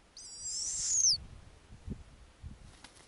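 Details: Snowy owlets at an Arctic nest on a warm summer night as the female returns with a lemming to feed her eight young. One hoarse, high hissing screech of about a second, rising then dropping at the end, with faint low rustling.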